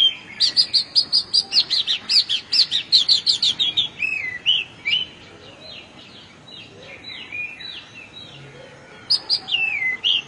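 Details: Oriental magpie-robin in rural Bengal sings a fast run of high sharp notes, two or three per second, then varied slurred whistled phrases falling in pitch, with a brief pause before resuming.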